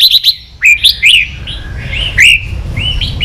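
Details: A red-whiskered bulbul sings bright, liquid whistled phrases that slur up and down, in quick bursts of a few notes over a faint low hum. This is a training recording of song for young birds.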